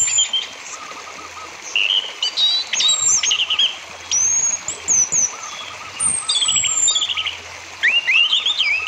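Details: Orange-headed thrush lure song, played to stir other thrushes (silent ones or strong singers) into singing: varied high whistled notes, sharp rising and falling slurs and short rattling trills in bursts, with a steady faint hiss behind.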